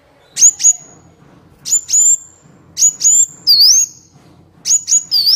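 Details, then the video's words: Van Hasselt's sunbird song for training captive birds and luring wild ones. Paired, very high, sharp whistles repeat about once a second, some followed by a dipping, wavering note. "30 menit pancingan/masteran Kolibri Wulung full isian mewah"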